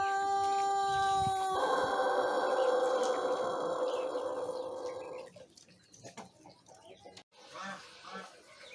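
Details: A one-month learner Pelung cockerel crowing in the morning on an empty crop, fed ordinary bran; a pure sustained tone becomes louder and harsher, then cuts off after about five seconds, leaving faint rustling and distant chirps.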